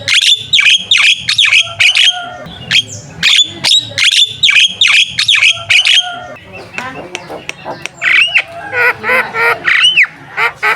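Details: Javan myna in full, energetic song used as a lure to stir contest birds. Loud harsh squawks and clicking bursts come in rapid runs, then shift to ringing rising-and-falling whistles and chattering notes near the end.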